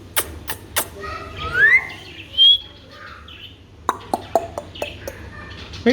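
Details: Alexandrine parakeet, a pet talking parrot from Pakistan or India, giving rising whistled calls and a high drawn-out note, followed by a run of sharp clicks and short chirps, with a steady low hum behind.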